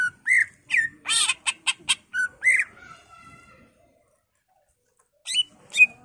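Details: Greater green leafbird (cucak ijo) showing off its varied song, a recording meant as a lure and master: rising whistled notes mixed with harsh rasping bursts, a fading quiet stretch, then two sharp high calls.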